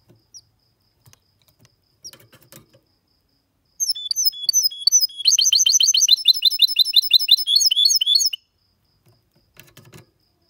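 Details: Singing goldfinch x canary hybrid male, a clean song meant to stimulate males to sing and teach young birds: after a few faint chips, a fast high twittering burst of rapid repeated trills and buzzy notes lasting about four seconds.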